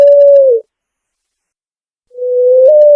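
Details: Picazuro pigeon song in a clean recording: the tail of a long low coo dipping at its end, two seconds of silence, then another sustained coo that lifts a little before being cut off.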